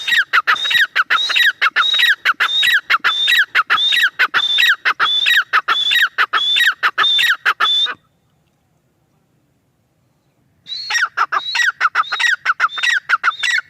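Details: Female grey francolin (teetar) calling: loud, harsh, rhythmic phrases mixing a high whistled note with grating lower syllables, repeated rapidly for about eight seconds, then a silent pause of nearly three seconds before the series resumes.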